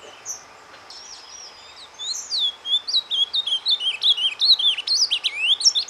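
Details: Ultramarine grosbeak (azulão) in captivity singing a surdina, the soft song meant to stir breeding birds: after a quiet start, a fast continuous warble of rising and falling whistled notes, about three per second.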